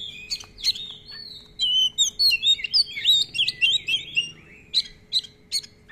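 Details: Oriental magpie-robin in rich, rapid song with long rolls and many fill notes: a long rolling run of varied whistles, slurred notes and sharp chips, tumbling on without pause over a faint steady hum.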